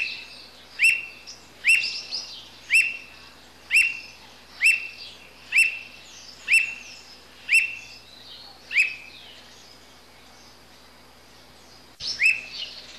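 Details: A squirrel cuckoo (Piaya cayana) gives a steady series of sharp, clipped whistled notes, about one each second.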